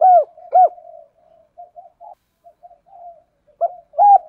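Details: Spotted dove used as a decoy, cooing to draw in others. Two loud arched coos open, soft muttering notes follow, then two more strong coos close the sequence. Quiet background.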